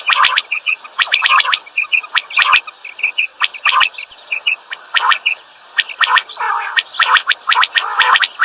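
Common quails give quick, liquid three-note calls in overlapping bursts, as if two birds answer each other, over a faint steady high whine.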